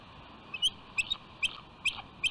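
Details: Wild bald eagle pair, female K-91 and male A-61, on the nest rock on Catalina Island, California, on January 24, 2020, calling around mating time. Sharp high squeaky chips come about every half second over a steady background hiss.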